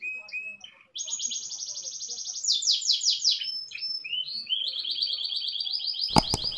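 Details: Canary indoors in a long rolling song: brief whistled notes, then an extended fast trill, a burst of louder rattling notes, rising slurs and another long trill, closed by a sharp knock.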